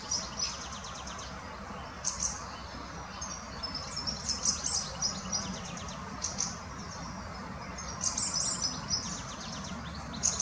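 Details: Adult and juvenile Fieldfare in Munich's Botanical Garden give high, thin squeaky notes and short chattering bursts at irregular intervals, against continuous low rumbling background noise.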